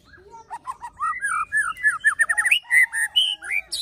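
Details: Songbird song of a white-rumped shama used as a fighter training recording, a fast series of rich whistled notes and slurred phrases around the middle pitch range, rising into brighter, higher repeated notes toward the end.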